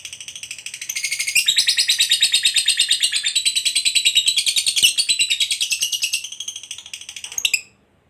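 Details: Lovebird fighter, a competition bird prized for its long ngekek song: rapid buzzy chattering trill building from a softer start and running unbroken for about seven seconds before stopping abruptly.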